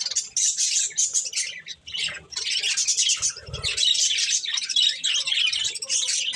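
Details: Budgerigars enjoying corn chatter without pause in busy, scratchy high warbles. A brief low knock comes partway through.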